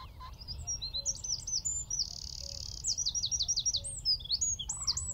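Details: A Eurasian wren singing from a tree at Wicken Fen, about 15 m away, gives a rapid, high-pitched burst of sharp notes, with a dry buzzy trill in the middle and quick repeated phrases after it.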